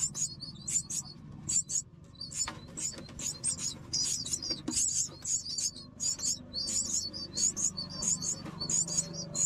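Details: Myna chicks being fed as a parent brings food: rapid, high, squeaky chirps in dense bursts, roughly ninety per minute and irregularly spaced, over a steady low hum.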